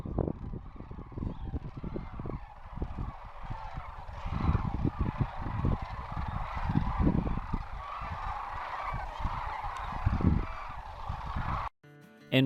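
A large flock of Sandhill Cranes calls at once in a dense, rolling chorus of overlapping rattling bugles, with steady low rumbling noise and a sudden cut near the end.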